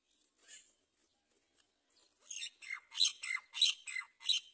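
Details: A great myna (Acridotheres grandis) nestling that fell out of its nest hole gives harsh, wheezy squawks, faint at first, then loud rasping bursts about every third of a second.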